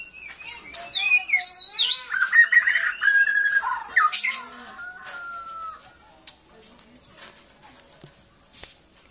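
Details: White-rumped shama, known in Malaysia as murai batu, from Kuching, a rich, loud, varied song of whistled and slurred phrases, then a long falling whistle and fading quieter notes.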